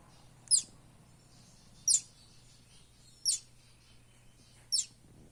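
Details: Buff-banded rail chick in the Philippines: four very high, thin, sharp peeps, each a brief downward-sweeping note, evenly spaced about every one and a half seconds over a faint low steady hum.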